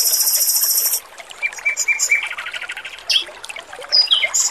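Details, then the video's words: Male red-billed leiothrix singing clearly and sweetly over running water, for training songbirds. Opens with a very high sustained buzzing trill, then scattered whistles and a short run of repeated notes, ending in sharp chirps. "MASTERAN BURUNG ROBIN JANTAN GACOR, SUARA MERDU DAN JERNIH"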